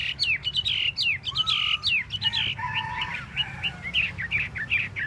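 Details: Chinese hwamei (hoa mi) tail-dancing while singing fast, varied whistled notes, many sharp downslurs mixed with longer level tones, continuous and lively throughout.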